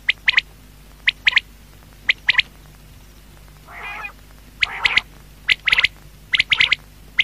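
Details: Night calling of a quail: crisp triplets of high, snapping notes repeated at steady intervals, broken mid-way by two lower, rough, rasping calls before the triplets resume.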